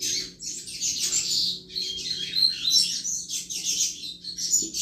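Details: Double-collared seedeater song meant to stimulate other males: a fast, continuous stream of high twittering and buzzy trills, with faint low background hum.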